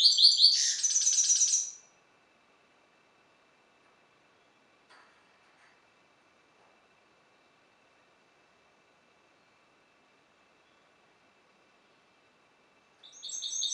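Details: A hybrid (mule) sired by a Balkan goldfinch (Carduelis carduelis balcanica) sings a bright, high, rapid twittering phrase of tinkling notes, then falls quiet for about ten seconds before starting again.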